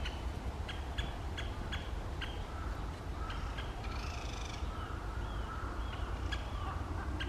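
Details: Great spotted woodpeckers in Asahikawa, Hokkaido, in April 2023 breeding season, a male chasing a female, give sharp, high kik notes several times a second, with a brief rattling chatter midway, over a steady low rumble.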